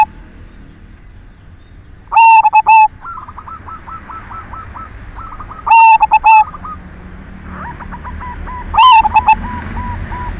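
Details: Silver zebra dove in full voice, used as a lure to stir other doves into singing: loud, harsh, distorted cooing phrases of several clipped notes, heard three times, with softer rolling trilled coos of other doves in between.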